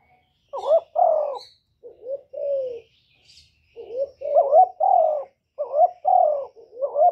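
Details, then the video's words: Spotted dove song for stimulating kept birds: repeated low phrases of short rising coos and longer falling ones, delivered in quick succession with brief pauses, clean background. "Cu gáy lớn tiếng, không tạp âm, giọng hay dễ mở, cu gáy kích bổi, cu gáy đi bẩy, cu đất gáy, cu cườm"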